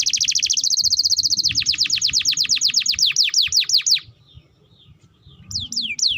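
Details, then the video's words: Canary in full continuous song, played to coax and tutor young canaries: a high rapid trill turns into a long series of evenly repeated downward-sweeping notes, a short pause, then fresh falling whistles. "Pancingan Burung KENARI Gacor Panjang || Masteran Kenari Paud"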